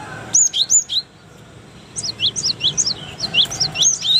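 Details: Indonesian cinereous tit singing as a model for other birds to learn: a few loud high whistled chirps, a one-second pause, then a fast stream of bright descending two-part notes.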